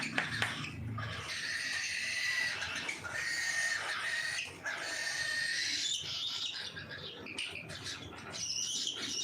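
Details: Cockatiels at feeding time call repeatedly with level, piping whistles that often hold for a second or more. Quick chirps overlap them, along with scattered clicks and fluttering sounds.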